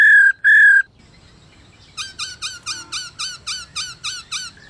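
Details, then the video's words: Black-throated laughingthrush female (khướu bạc má mái) calling to stimulate caged males to sing; two loud clear whistled notes, then a rapid series of about nine short bright repeated notes with strong overtones, roughly two per second. "KHƯỚU MÁI RÒ KÍCH TRỐNG ĐIÊN ĐẢO/NGHE NHANH HÓT.Chim Khướu Mái Ro Dụ Trống Mở Mỏ"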